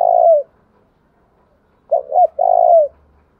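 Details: A long falling coo from a spotted dove, aimed at provoking rival males, ends one phrase. After a pause comes a double hooked coo, then another long, slurred coo that drops at its end.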